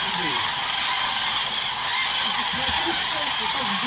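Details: Common cranes, part of about 40,000 being fed at Agamon Hula in winter 2021 before migrating south, give a dense, continuous chorus of rolling, trumpeting calls, many at once, over a steady hiss.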